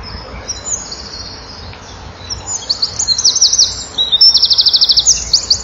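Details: Male Eurasian wren singing flat out to females nearby, filmed by a nest-wall camera on 7 June 2012 at 16:57: after a quiet opening, loud, piercing phrases of rapid trills and twittering notes follow in quick succession.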